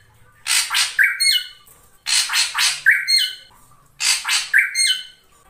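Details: Krantil saeran ashy drongo singing vigorously: three phrases about two seconds apart, each a quick burst of harsh chattering notes ending in a short, level whistled tone.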